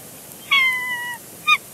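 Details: Nesting bald eagle pair at Big Bear Lake on 3 February 2022, the female coaxing her mate off the eggs with soft vocals, picked up by a live nest cam: one long, steady, slightly falling whistled note, then a short clipped note.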